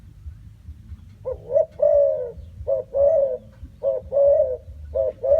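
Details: Spotted dove cooing repeatedly, soft mellow phrases each made of a short clipped note and a longer drawn-out coo, repeated about once a second in a steady series against a low background hum.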